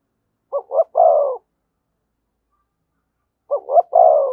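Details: Two thúc gù phrases from a spotted dove beside a decoy bird, three seconds apart, each a pair of short deep coos running into one longer held coo, with silence around them.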